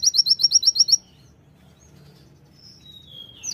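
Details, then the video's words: A single second-long burst of fast, high twittering notes in white-eye style. Near silence follows, broken by a faint high whistle and a soft final chip. "Konin gacor tembakan pleci"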